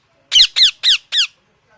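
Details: Pet parrot giving four loud, harsh, rasping calls in quick succession, each a sharp downward-slurred squawk rich in overtones, spaced about a quarter second apart, then silence.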